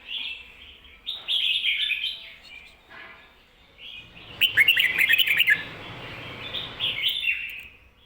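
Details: Red-whiskered bulbul song in the 'double' style, played for training caged bulbuls: warbled phrases in two bouts, the second a loud burst of rapid sharp chirps over a low background rumble.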